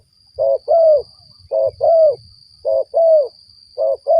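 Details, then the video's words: Spotted dove calling, played to lure other doves for trapping: mellow hooting coos in paired phrases, a short note then a longer slurred one, repeated about every 1.2 seconds over a steady high electronic whine. "mikat burung tekukur"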